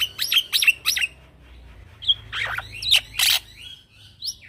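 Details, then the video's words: Black-winged myna, a young male in 'ngeroll' rolling song meant for training other birds: three quick whistled notes, then rasping harsh bursts and a final rising whistle. "Jalak Pito Jantan Muda Gacor Ngeroll"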